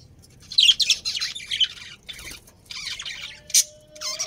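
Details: Budgerigars, Australian parrots kept as a breeding pair within a family colony; scattered bursts of harsh, scratchy chirps and squawks with short pauses between, and a faint steady low tone late on.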